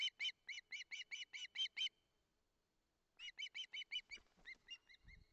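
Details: Osprey chick begging at the nest in Barlinek, 19 July 2023, amid a near collision: two runs of rapid shrill whistles, the second fading and slowing, with soft thumps of movement in the nest at the end.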